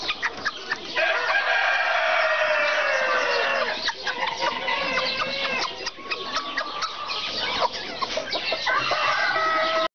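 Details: Serama chickens, with a long descending crow in the first seconds, then continuous overlapping clucks and further drawn-out crowing calls from several birds.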